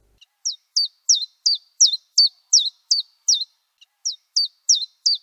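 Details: At the Séné nature reserve in Brittany, France, a common chiffchaff sings a steady string of bright, high, chipping notes, about three per second, alternating between two pitches like coins clinking, with a brief pause midway.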